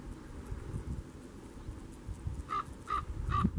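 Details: Canary Islands common raven at Fagagesto, Gran Canaria, in June 2017, giving three short, harsh, rasping calls spaced under half a second apart near the end, over steady wind and low rumbling.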